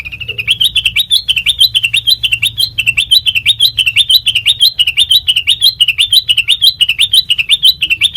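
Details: Sooty-headed bulbul song used as a lure to train other birds: a steady run of bright, rising chirped notes, each ending in a high flick, repeated about once a second throughout, with a faint low hum beneath.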